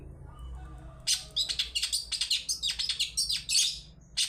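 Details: Long-tailed shrike lure song in the toet toet style, played to prompt other birds to sing. After a quiet second come dense, high, scratchy chirps and short trills in quick bursts, rising and falling, running without a break to the end.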